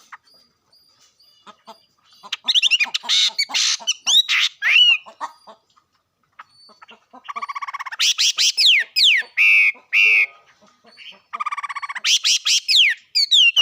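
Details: Loud bursts of harsh, squawking bird calls alternate with sweeping whistled notes, arriving in three dense clusters separated by short pauses.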